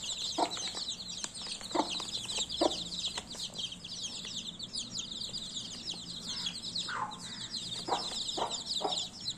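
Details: Baby chicks chirping: a dense, continuous chorus of high, thin peeping notes from many birds at once, with occasional lower thumps and clucks underneath.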